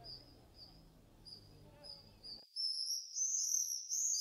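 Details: Common swift screams, thin high buzzy trills faint and spaced at first over a low background rumble, then a loud overlapping run of shrill screeches as the background drops away.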